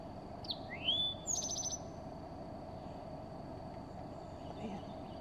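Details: A male Eastern Towhee, perched in a mimosa tree on a spring morning, sings one phrase: a sharp high note, a rising slurred whistle, then a quick buzzy trill, over a steady high insect-like whine and low rumble.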